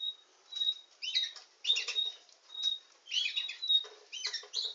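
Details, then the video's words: Canary, billed as a nightingale singing canary, alternating long pure whistled notes with short bursts of scratchy, buzzy twitter, phrases separated by brief pauses. "Nightingale singing canary"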